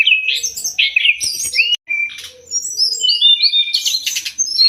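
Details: Sumatran leafbird master song for songbird training, with varied whistled phrases and chattering notes, a brief gap, then rising whistles and harsher chips, soft low tones in the background.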